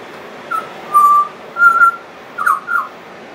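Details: Pied butcherbird, a friendly and persistent singer known for mimicry, gives long pure whistled notes, one held steady then another slightly higher, followed by two quick warbled notes, spaced by short pauses over a quiet background.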